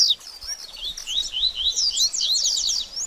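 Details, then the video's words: Short passage of double-collared seedeater baderninha song, played to stimulate a bird after moulting: high slurred notes that quicken into a dense, rapid chatter. "BADERNINHA DE COLEIRO Top Pra Esquentar Seu Coleiro Pós Muda De Penas"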